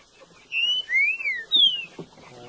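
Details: A mutation-plumage Green-winged Saltator sings three loud, clear whistles in quick succession: a short rising note, an arched sweeping note, then a falling slur, over faint background noise; it has sung nonstop since last year's moult.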